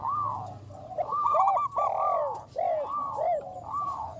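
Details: Local zebra doves with a big voice, used as a lure, singing. Warm, rounded coos rise and fall in overlapping phrases, some notes stretched and swelling, others clipped short, with almost no silence.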